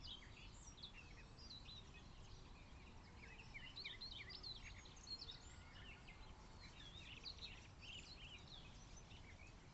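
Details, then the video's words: Wild birds singing by Ebitsuru-numa pond in Higashine, Yamagata, Japan, on May 2, 2026: a busy chorus of high chirps, trills and short whistled phrases from several birds over steady low background noise. "Birdsong by the Green Pond｜緑の沼と鳥のさえずり"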